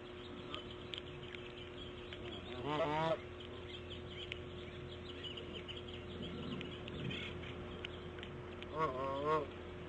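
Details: Female bald eagle at her nest, laying her fifth egg around 8:40 on the morning of 1 March 2014; two short bursts of high, wavering, harmonic chattering calls several seconds apart, over a steady low background hum.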